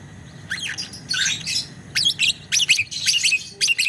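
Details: Biola lovebird chattering in long ngekek style. Harsh, squawky bursts and scratchy chirps come in quick irregular clusters, over a low background hum.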